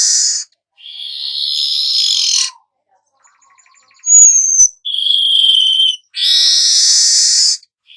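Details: Golden-headed weaver, a song recording for tutoring songbirds: grating, wheezy buzz phrases, a quiet gap, a thin high whistle, then a steadier nasal buzz and another broad sizzling burst.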